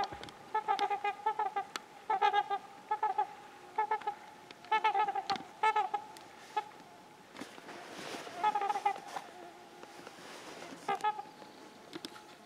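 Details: Territorial trumpeter swans chasing off an intruding pair give loud, nasal, horn-like honks in rapid clusters of several notes, pausing between bursts, with faint wind and rustling behind.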